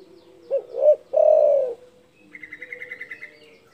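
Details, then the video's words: Loud-calling spotted dove provoking rivals: one phrase of two short coos and a long coo, followed by a rapid, even high trill of about ten notes from another bird. "DERKUKU GACOR DOR SUARA BESAR MEMBUAT EMOSI LAWAN"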